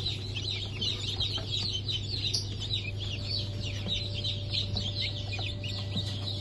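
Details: Sultan, Türken, Australorp and Sussex chickens from a 23 March 2024 hatch peep en masse, a busy wash of high falling chirps, with a continuous low hum and a thin steady tone.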